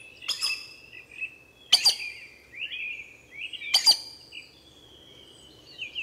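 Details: Collared aracari calling in Costa Rica: three sharp, high, squeaky paired notes roughly every two seconds, with softer whistled notes from other birds between them and faint insect hum.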